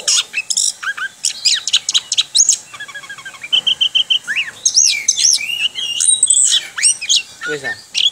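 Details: Orange-headed thrush, kept as a cage bird, singing the 'ngerol' style: fast runs of sharp chirps, a repeated string of pure whistled pips, then swooping slurred whistles and trills.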